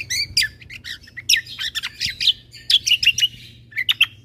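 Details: Combo bulbul song track meant to rile up other birds: dense run of sharp high chirps and short whistled notes in uneven clusters, with a faint low hum underneath.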